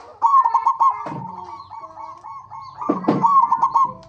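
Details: Local zebra dove lure song to prompt other zebra doves: nearly continuous pulsing trilled cooing, broken twice by brief rough, noisy bursts lower in pitch.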